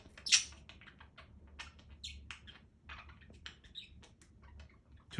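A budgerigar chatters steadily in scratchy clicks and short high warbled chirps, opening with a sharp loud squawk; a faint low room hum underneath.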